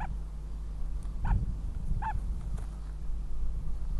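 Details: Northern goshawk at the nest in Riga on 9 April 2017, giving four short, nasal, harmonic calls spaced roughly half a second to a second apart, over a steady low rumble and hum.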